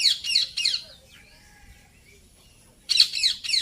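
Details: Indian ringneck parakeet, a talking parrot, giving three rapid shrill screeches, then a quiet gap with faint whistling, then another burst of harsh high notes.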